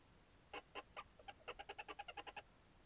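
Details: Barn owls at a nest in Görbeháza, Hungary, 30 April 2022, night, with three eggs; the male brings prey to the female. About fifteen short, nasal chittering notes, a few spaced then a quickening even run, faint hiss.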